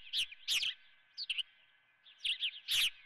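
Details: Osprey at the Dunrovin nest with a live golden fish for breakfast: clusters of sharp, high chirps in two bursts, over a steady faint electrical hum.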